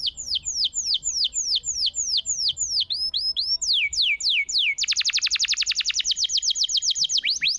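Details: Canary in vigorous song, a master recording to get silent canaries singing; a long run of falling whistled sweeps about four per second leads into a dense, rapid buzzy roll.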